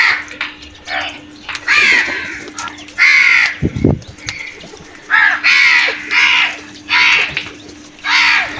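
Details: Several crows during a brutal attack on food, giving rough grating caws in regular bursts about every second, with a brief low thump midway.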